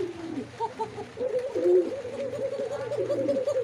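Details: A pigeon gives a drawn-out, throaty low coo that swells and wavers for about two seconds, preceded by shorter coos, over a steady low hum.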